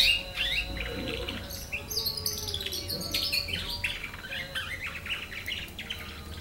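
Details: Practice song of a nine-month-old canary: a continuous, rapid twittering warble of varied short notes and buzzy fragments that runs throughout.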